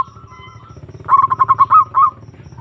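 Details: Zebra dove calling a rival as a lure: a brief burst of short, clipped notes, then two or three rounded coos, over faint low hum and a thin tone.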